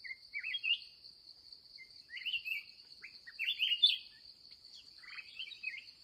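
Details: Red-whiskered bulbul, an agitated wild bird met during the last trapping session of the day, giving short bursts of rich warbled notes, rising and falling, with pauses between phrases over a steady high insect drone.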